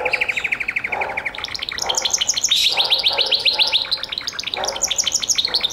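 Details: Gloster canary song delivered as a continuous rapid trill that climbs in pitch, shifting into fast rolling phrases broken by brief low buzzy bursts.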